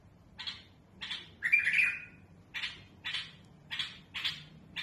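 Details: Smooth, harsh song of a mutawwa'a bulbul for teaching young birds: one long grating buzzy phrase set among a string of short sharp notes repeated about every half second.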